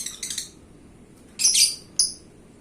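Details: Paskun lovebird, a kept champion songster: two bursts of harsh, high chattering chirps, then a louder scratchy squawk and one sharp short note, with quiet gaps between.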